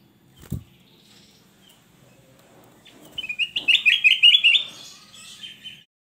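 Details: A dull thump, then after a pause the male kutilang emas bursts into a lively, loud warble of rapid upslurred notes repeated in a tight rippling series for about two seconds before trailing off into softer twitters.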